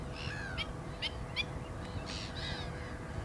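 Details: Black-winged stilt uttering short nasal yelps, then a quick series of sharp, clicking kek notes, followed by two rougher, louder barking calls, with constant background hiss.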